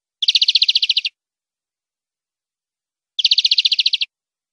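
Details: European greenfinch song on a clean recording for educating captive greenfinches: two short, fast buzzy trills of about twelve notes each, under a second long, separated by two seconds of silence.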